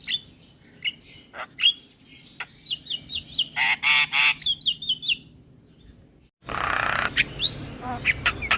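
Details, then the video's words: Starling song used as a lure recording to encourage silent birds to sing: rapid chattering run of short squeaky whistles and harsh grating bursts, pausing briefly before a loud noisy rasp with upslurred whistles. "Terapi Burung Jalak Macet Bunyi / Jalak Pikatan Bikin Cepat Gacor"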